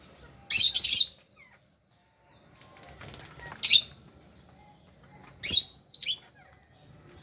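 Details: Pet lovebirds with budgies at meal time, uttering a loud harsh double squawk, then isolated shrill chirps and a final paired burst, with soft rustling between.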